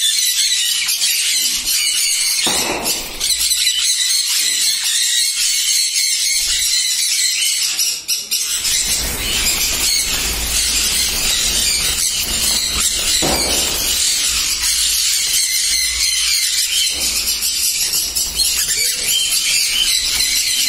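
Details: Noisy colony of captive sun conures, sixteen breeding pairs housed on a farm in East Medinipur, West Bengal, India: constant shrill squealing and grating squawks blend into one loud, high-pitched din throughout.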